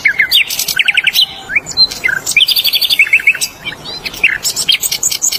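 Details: Flycatcher singing in the wild, a lively run of sharp high chirps, quick repeated notes and short trills, with overlapping twittering phrases and little pause.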